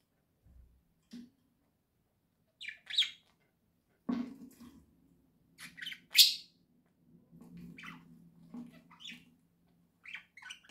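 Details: Pet budgerigars indoors giving scattered chirps and sharp high notes amid a low rumbling household background.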